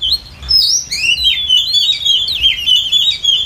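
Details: Short burst from a female Oriental magpie-robin, played to lure wild birds for trapping: a tumbling stream of high, sliding whistles and warbled notes with a low rumble beneath.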